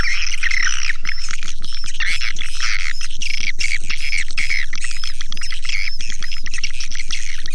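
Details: Swiftlets called with a lure recording meant to attract them. Busy overlapping twitters and chirps, some squeaky and rising, sit over a steady, deep electronic throb beating four times a second.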